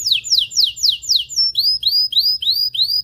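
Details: Canary song meant to excite mating, beginning with sharply falling swept notes, then a short whistle and a series of rising upslurred notes repeated several times a second.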